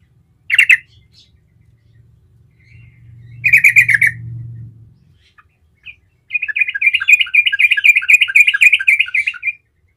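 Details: Yellow-vented Bulbul (trucukan) singing gacor ngerol to lure other trucukan into answering; short bubbling bursts over a low hum, then a long rolling run of quick, repeated chattering notes lasting about three seconds.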